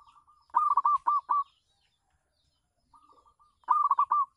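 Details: Local zebra dove singing on a residential terrace as a lure for wild doves: a soft lead-in of murmured coos, then four loud, rolling notes, a pause, and a fresh phrase of rapid coos.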